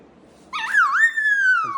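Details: Sulphur-crested cockatoo at home during blow-drying gives a single wavering whistled call that dips, rises, then slowly falls away.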